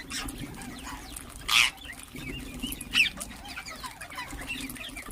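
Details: Rose-ringed (ringneck) parakeet gives two harsh, screechy shrieks about a second and a half apart, over faint twittering chirps from other birds.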